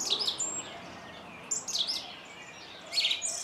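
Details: Short high, ringing phrases from a singing song thrush, three bursts spaced about a second and a half apart.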